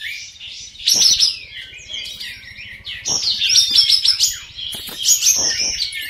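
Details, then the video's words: Several kapas tembak bulbuls in an online song-contest duel sing at once in fast, bright, chattering bursts of high chirps and warbled phrases, over a low steady mechanical hum. "DUEL 4 PEMENANG KAPAS TEMBAK"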